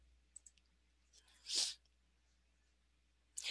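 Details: A few soft clicks, then a sharp hissing burst like a sneeze or breath, and another at the end; no animal voice is heard.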